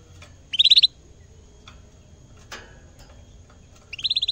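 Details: Canary in a cage singing actively while seeing a camera for the first time: a quick trill of about six high, repeated notes, a stretch of soft ticks, then a second matching trill.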